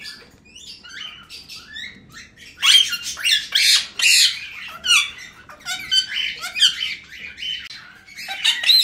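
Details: Brief soft calls open, then loud grating squawks break out from two male cockatiels and their chicks basking in sunlight, dense harsh bursts overlapping one another, with occasional short whistled upslurs near the end.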